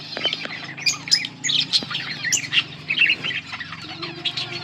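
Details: Two yellow budgies chatter in bursts of sharp chirps and short squawky notes, repeated irregularly over a faint low hum.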